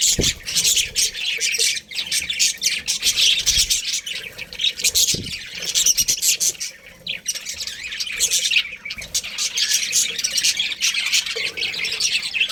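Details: Two budgerigars, a breeding pair, keep up a lively high twittering with scratchy squawks and clicks, a couple of brief dull thuds from movement in between.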